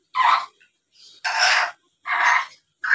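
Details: Black-capped lory, a talking, chattering bird played to make rivals respond: four harsh, broadband screeches, each about half a second long, coming roughly every second in a steady rhythm.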